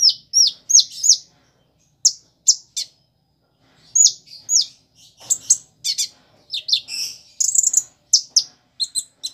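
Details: Van Hasselt's sunbird giving high, sharp chirps and quick twittering bursts in irregular runs, with mimicked prinia-like, sparrow-like and chick-like notes. No other sounds are heard.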